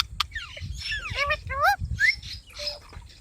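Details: A pet green rose-ringed (ringneck) parakeet, a talking bird, chatters in quick, varied, speech-like phrases of rising and falling whistled syllables, with a low background rumble.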